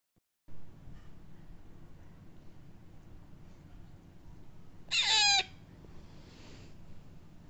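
A young Alexandrine parakeet gives one loud, harsh, squawking call lasting about half a second, over a steady background hum.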